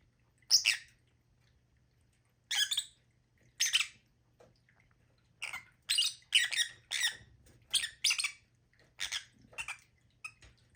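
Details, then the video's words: Sharp, shrill lovebird squawks repeated irregularly, sparse at first then coming in a rapid run of short raspy notes roughly every half second. "Lovebirds sound"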